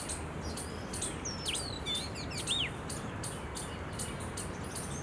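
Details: Oriental magpie-robin, recorded 31 March 2023, giving clear, high whistles with quick rising and falling sweeps, mixed with short sharp chips, over a steady low background rumble.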